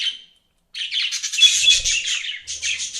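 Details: Budgies chattering indoors: a short chirp, a brief pause, then a dense run of rapid scratchy warbling and twittering that carries on to the end.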